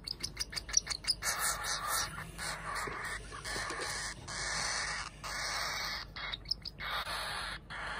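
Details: Two hand-fed pet cockatiel chicks, siblings hatched the same day but very different in size, begging during feeding: a quick run of sharp peeping pulses, then long harsh rasping calls repeated with short pauses.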